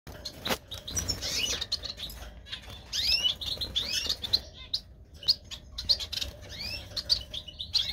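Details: Gouldian finches (Erythrura gouldiae), a captive pair just put together for breeding in their third season and courting, give thin, high chirps and quick rising sweeps in loose bursts, over a faint hum and a single click.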